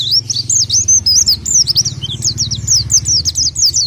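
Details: Orange-headed thrush in full main song: a fast, continuous run of high, sharp whistled notes and chirps, many rising or falling and repeated several times a second, over a steady low hum.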